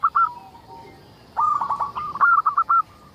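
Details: Local zebra dove singing eagerly, used to lure other zebra doves into song: a couple of brief coos, then a longer run of rapid stuttering notes ending in a few spaced, clipped coos.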